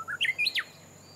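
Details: Japanese bush warbler singing while keeping out of sight. A short phrase opens with a held mid-pitched whistle, then quick higher notes step upward and end in a sharp downward sweep. The background is quiet.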